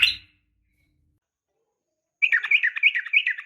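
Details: Female sooty-headed bulbul calling a male, used to provoke fighting birds: a brief rich phrase of bubbling, warbled notes rising and falling, after a short noisy burst and a pause of silence.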